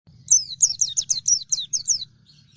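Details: Oriental white-eye of the dakun type in full song: a rapid run of about eight thin, very high chirps, each sliding downward, packed into under two seconds.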